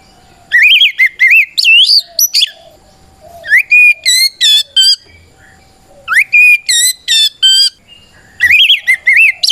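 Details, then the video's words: Fighting song of a white-rumped shama, meant to provoke other birds to reply; three bursts of rapid ringing whistles and high trilled notes separated by short pauses. "Suara Burung kacer gacor NGEPLONG tarung ini paling ampuh buat PANCINGAN KACER agar EMOSI Nyaut"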